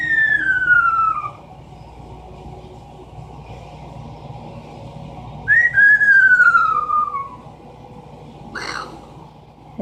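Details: Captive Amazon parrot doing its falling bomb imitation: two long descending whistles, each gliding down steadily for over a second, the second starting with a short upward flick, then a brief harsh burst.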